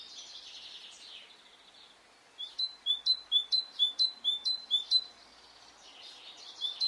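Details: Spring morning in Brittany: after a soft background chorus, one bird delivers a run of about ten loud, sharp, high repeated notes, two per second, then quieter chirps resume.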